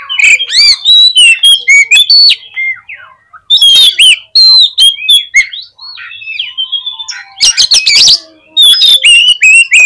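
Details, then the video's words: Oriental magpie-robin singing energetically as a lure to excite other magpie-robins; fast varied whistles, twanging slurs and rasping bursts pour out in long phrases, with a quieter gap in the middle before another loud harsh outburst. "CUKUP DI PLAY 3 MENIT BIKIN KACER LANGSUNG EMOSI TINGGI !!! PASTI CEPAT ON"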